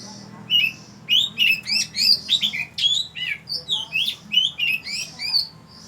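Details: Oriental magpie-robin singing at Ban Wat Phra Koet, Fa Lami, Phatthalung, Thailand: a loud, rich run of varied whistled and chirping phrases, fast sliding notes and short trills about once a second, with a faint low hum behind.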